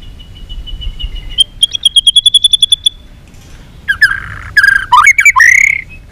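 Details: White-rumped shama fighting song with many voices, bird flicking its tail: soft repeated high piping, then a rapid even trill of bright notes, then loud swooping whistles and rough buzzy phrases.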